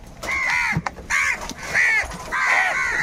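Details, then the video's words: Crows fighting for food, live outdoors: four harsh, nasal caws, each about half a second long with a strong banded tone. They come in a loose, uneven series with short gaps, over faint low background rumble. "Crow bird live crowing sounds - All types of crow sounds | Crow bird unity anger and sounds"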